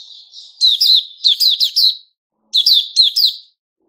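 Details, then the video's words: A white-rumped shama of the Puteh Raja type, 29 August 2021, sings a faint warble, then rapid bursts of loud, sharp, descending notes, a brief pause, and two more ringing bursts. "Puteh Raja Sing Buka"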